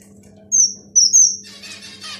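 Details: Finch chicks singing, giving three short, very high, thin whistled notes in quick succession, the last two nearly joined, followed by a soft hiss, over a steady low electrical hum.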